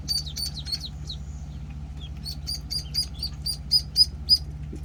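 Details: One-week-old penciled call ducklings peep in short, high bursts. Quick clusters open the recording, then evenly spaced sharp chirps follow about three or four per second, with a constant low hum beneath.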